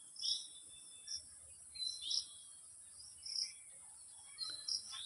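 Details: Young Indian golden oriole in a backyard garden, able to fly, calling its mother while she searches for food nearby: short, high, thin chirps, single or paired, about once a second, over a steady high insect-like hiss.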